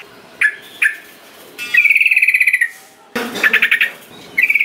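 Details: Yellow-vented bulbul singing, played to coax reluctant birds into joining in. Two short sharp notes are followed by a long rattling, buzzy trill, then more pulsed bursts and a final trill starting.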